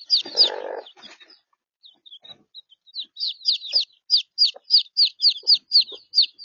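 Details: Chicks peeping in Australia: three-week-old chicks abandoned by their mother, kept with three-day-old chicks for warmth. Mixed breeds include Wyandotte cross, Araucana cross, Easter Egger and Sebright. High, downslurred peeps come in quick irregular runs, with one brief rustle near the start.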